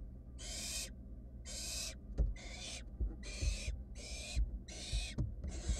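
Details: In a nest box camera setting, wild barn owl nestlings search for food after one swallowed a mouse; breathy, snoring hisses about half a second long, repeating faster toward the end, with scratching knocks.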